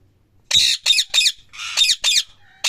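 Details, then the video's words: Loud parrot screeching: six raspy, high calls follow one another in quick succession after a brief silence. "Parrot chirping sound | Parrot Loud Calling Sound | Parrot natural sound"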